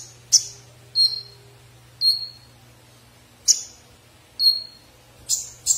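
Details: A konin bird gives sparse, thin, high notes. Each is a short sharp onset trailing into a faint falling whistle, repeated about once a second with uneven gaps. A low steady hum runs underneath.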